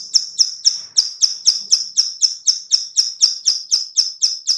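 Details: Bar-winged prinia female giving a clicking call used to lure other birds: sharp high clicks repeated steadily about four per second, each a brief bright burst, with no other clear sounds.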